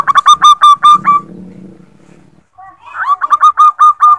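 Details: Female zebra dove calling to a male as a lure. Two rapid runs of short, stuttering coo notes on a steady pitch, with a low murmuring noise between them.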